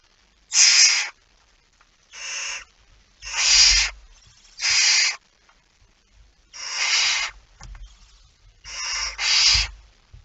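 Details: Feeding time at a barn owl nest, 19 September 2019 at 05:28: seven breathy, rasping screeches of under half a second each, irregularly spaced, plus soft low knocking sounds.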